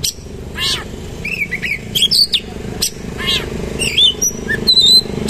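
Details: Singing kacer (Oriental magpie-robin) in harsh 'roll tembak' style with lavish fill. Downswept buzzy notes, bright pure whistles near the top and short chirps come in quick succession over a faint hum.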